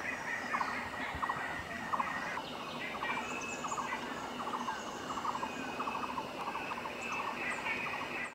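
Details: A great hornbill (Buceros bicornis) at Panbang, Royal Manas National Park, Bhutan, on 27 April 2018 calls in rapid, cackling bursts of harsh notes about every half second, over a steady insect drone and faint chirps of other birds.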